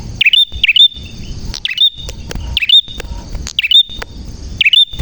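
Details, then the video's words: Bar-winged prinia singing loudly: pairs of quick, slurred chip-whistles come at an uneven pace, roughly one per second, over a faint steady high hum. "Burung Prenjak Gacor Suara JERNIH"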